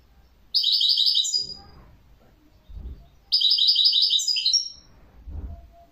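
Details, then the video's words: European goldfinch singing: two bursts of rapid, bright, buzzy twittering, each about a second long, with short trills ending in higher notes, separated by quiet pauses with faint low knocks. "تغريد جميل لطائر جميل"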